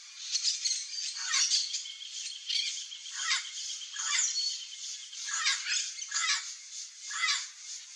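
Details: A pair of Chestnut-eared aracaris in riparian forest in central Brazil, searching for wild fruit; short harsh squawking calls repeated irregularly through a constant high hiss of insects.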